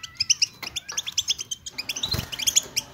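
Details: European goldfinch group song played to spur silent goldfinches: bright, fast tinkling chirps with a faint thin whistle early on, building to a denser burst with a rustling noise near the end.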